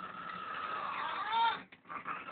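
A blue-and-yellow macaw snores in its sleep: a soft, raspy, breathy hum with a brief squeaky rise near the end, then a short pause and more rasping.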